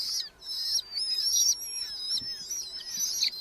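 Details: Red-footed falcon nestlings in a Hungarian colony nest box, July 10 to 12, 2025; bright high whining calls sliding up and down, several overlapping, with a few low knocks.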